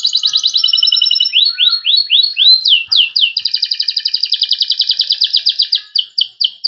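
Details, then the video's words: Dense cengkok rapat song from a panda-coloured Loper canary: quick high rolls give way to looping, swooping whistles, followed by a long, tight pulsing trill and a few closing sweeps. "KENARI PANDA GACOR Cengkok Rapat"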